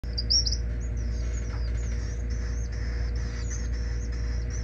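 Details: Nestling gray kingbird in poor body condition, found struggling at a school and being hand-fed hourly in rehabilitation, gives thin, high squeaky chirps in quick, uneven runs against a steady low indoor hum.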